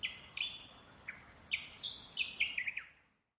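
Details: Parrot song of pure high whistles: level notes and sharp downward slurs, ending in a rapid run of four or five clipped notes before fading out.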